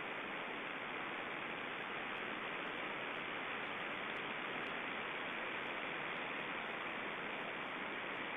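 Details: Steady, unbroken broadband hiss like rushing water or static, with no animal voice.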